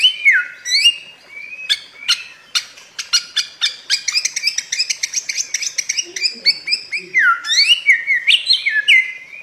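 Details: Samyong, the bare-throated whistler of Flores, on a master recording for caged birds: opening whistled slurs, then a long fast rattle of clicking ticks, closing with ringing up-and-down whistles.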